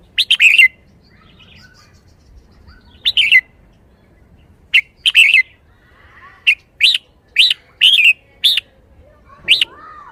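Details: Lively caged red-whiskered bulbul mixing short warbled phrases with a run of separate sharp rising chirps in the later part, about one every half second.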